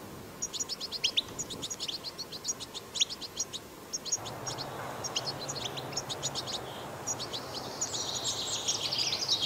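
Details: Wild goldfinch song used to encourage goldfinches to sing: lively high twittering phrases of rapid chirps, with low rumbling noise joining halfway and a rising wash of noise near the end.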